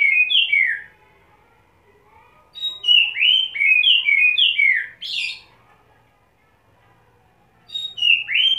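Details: Kacer, or Oriental magpie-robin, after wet conditioning, in steady ngobra display and spilling its isian song: an opening burst of slurred whistles, a quiet gap, then a busy run of looping whistles and a harsh buzzy note, closing with more whistles.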